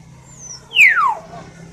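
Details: A single loud, sharp whistle from a common hill myna, sweeping steeply downward from high to mid pitch in under half a second. A faint thin high tone comes just before it, over a steady low background hum.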